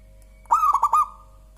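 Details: A single song phrase from a local zebra dove, described as clear and mellow: a quick stutter of soft, rounded coos, then a smooth trailing hum that fades out. No other sounds are heard.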